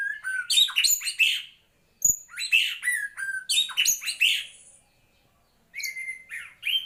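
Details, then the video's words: Murai batu, the white-rumped shama, singing: bursts of loud varied whistles and harsh chatters in two main phrases separated by a short silence, then a further whistled phrase, with a click-like knock near two seconds. "Kicau Murai Batu"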